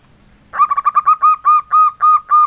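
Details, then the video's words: Soft engkel-style song of a local male zebra dove: about ten cooing notes, starting as a fast stuttered sequence and slowing into longer, evenly spaced, rounded hoots; background quiet. "SUARA PERKUTUT LOKAL JANTAN, SUARA ENGKELnya YG EMPUK BANGET"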